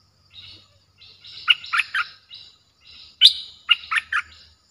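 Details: Streak-eared bulbul with a harsh, aggressive-sounding voice, played to lure wild birds. Two bursts of bright, clipped chirps, each of three or four quick notes, come with a soft twittering lead-in and a faint high whine in the background.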